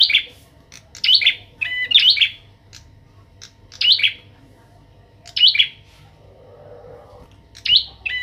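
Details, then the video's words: Young caged Bar-winged prinia under training beside a kept bird, singing gacor. Crisp, high, twittering chirp phrases recur at irregular intervals of one to two seconds, with a faint rustle near the end. "prenjak atas gacor"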